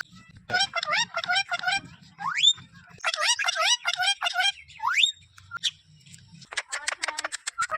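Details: A pet ring-necked parakeet gives a talking greeting: short, raspy speech-like phrases in quick bursts, sharp rising whistles between them and a fast rattling run at the end.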